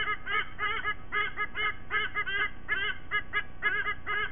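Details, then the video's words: Morning duet of a white-bellied sea eagle pair joined by their two chicks at a nest in Sydney Olympic Park, Australia, on a nest camera in late September 2023. Choppy bursts of goose-like honks come in uneven groups over a low background rumble. "Sydney WB Sea Eagles: SE31 & SE32 sing with Lady & Dad"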